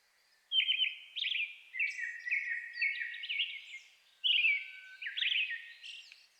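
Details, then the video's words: A Brown-headed thrush sings in a forest at dusk in May in the Shin'etsu highlands, Japan, as a Japanese thrush sings loudly close by; a lively series of whistled, trilling phrases at mid-high pitch, with brief high squeaks and one pause before the final burst. "アカハラ 鳴き声"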